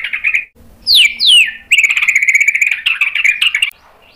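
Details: Lively white-rumped shama, its song full of sharp imitated phrases, used to draw answers from other birds: a short warble, two high downslurred whistles, then a rapid rattling trill lasting about two seconds.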